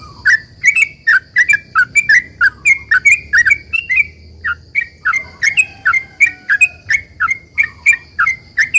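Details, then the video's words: Vocal sooty-headed bulbul giving long 'ropel' song meant to provoke other bulbuls into answering: a fast, unbroken run of sharp, slurred chirps about four to five per second, with one brief pause; a constant thin high hum underneath. "trucukan gacor ROPEL PANJANG ini buat pancingan trucukan agar bunyi JADIKAN burung trucukgacor NYAUT"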